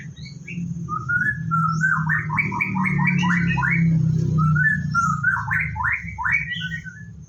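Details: White-rumped shama on a bird farm, morning routine before a bath: two bursts of fast, rising whistled notes strung into rippling phrases, over a steady low droning hum.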